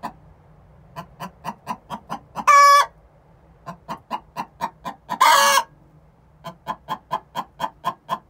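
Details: Two young hens, six months old, calling the egg song before laying an egg: quick clucks punctuated by two long, harsh squawks a few seconds apart, with clucking continuing afterward.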